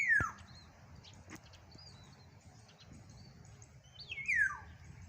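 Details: Black-naped oriole calling loudly, with yellow underparts noted: two loud, clear whistles that slide steeply downward, one at the start and one near the end, separated by a quiet stretch with faint high chirps and low background rumble.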